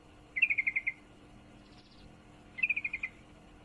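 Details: Female sooty-headed bulbul calling to a male while in heat: two clear stuttering trills of about seven sharp high notes each, two seconds apart, with a soft buzzy hiss between.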